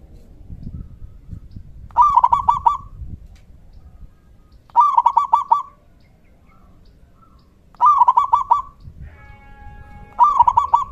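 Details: A zebra dove of the local type calls loudly to draw answers from other doves. Four rattling series of clipped cooing notes come roughly every three seconds, with a faint hum at the end.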